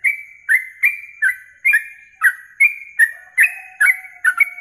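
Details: Yellow-vented bulbul song for masteran contest training, morning and night: quick succession of bright whistled notes, mostly dipping in pitch, around two per second, with a faint low tone near the end.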